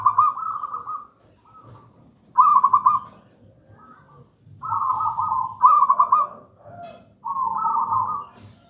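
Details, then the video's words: A wild-strain local zebra dove sings gedang rojo, a song used to lure and train doves not yet singing. Clear trilled coos come in linked pairs, a bright beaded note followed by a smooth lower one, with short silences. "Perkutut lokal gedang rojo gacor merdu"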